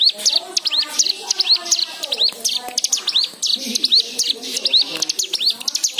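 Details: Singing white-eye used as a prompt for other birds, with full variation of fill-in phrases: rapid high chirping and upslurred notes in short bursts, softer lower twitters underneath.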